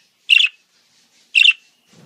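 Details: Budgerigar song: two short, bright, buzzy chirps about a second apart, each rough and harsh-edged, with silence between and a faint low rustle at the end.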